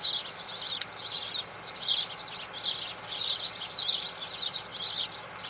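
Spanish Sparrow giving bursts of harsh, chattering chirps, roughly one burst every second, high and scratchy, over a steady background hiss.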